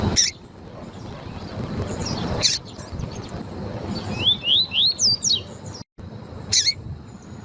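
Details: Lined seedeater (coleiro tui tui), a captive bird used to warm up and train males with female chirps. It gives a quick run of rising, slurred whistled notes, about four per second, with sharp high chips before and after, over a faint hiss.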